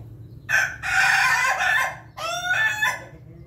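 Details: Rooster of the Pelung breed crowing at morning feeding, a loud, harsh, harmonic crow in two long phrases, the second split into stuttering segments, over a faint low hum.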